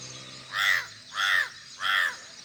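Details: Bird calling: three loud, harsh, hoarse caws, each about half a second long and evenly spaced about two-thirds of a second apart, over a faint low background hum.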